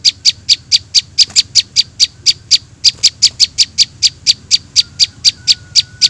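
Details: Rapid, high, sharp chips of young prinias, a trapping lure, repeated about four times a second with a brief pause near three seconds and a faint thin tone late on.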